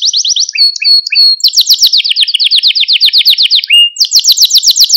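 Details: Malta canary song recorded for stimulating young canaries: fast high trill, a few spaced lower chips, then a long rapid rolling tour, a short rising whistle and a final quick bright trill.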